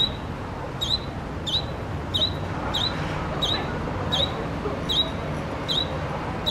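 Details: Grey-capped greenfinch fledgling hidden among leaves near a junior college gate in Kashiwara, calling persistently: thin, high, slurred calls repeated about once every 0.7 seconds over a steady background hiss.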